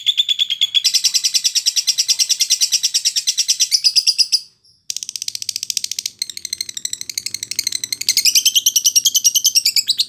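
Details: Lovebird song used as training audio for fighter-class birds: rapid, dense harsh chattering high-pitched notes repeated about three per second, a brief pause near five seconds, then further buzzy trills and twittering.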